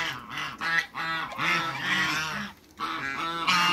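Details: Harsh, continuous honking from African geese, two males and a female, kept in a backyard among waterbirds; overlapping nasal calls run almost unbroken for over two seconds, pause, then resume loudly.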